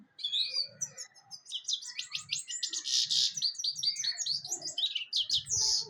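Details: Sustained goldfinch song, dense and twittering, mixing sweet high whistles, buzzy chirps and rapid trills in an unbroken stream, with faint low thumps beneath.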